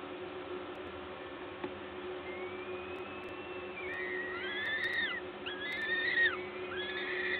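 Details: Peregrine falcons at a nest in Gdańsk, Poland, on 14 May 2022 at 11:07, during feeding by a parent; faint drawn-out whining calls that rise and fall, growing louder and more frequent toward the end over a steady background hum.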